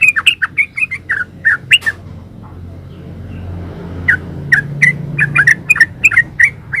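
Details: Yellow-vented bulbul in 'gacor ropel' style for training other birds to respond: sharp, clipped chirps in a fast sequence, a quiet gap with faint low hum, then another rapid series of bright notes.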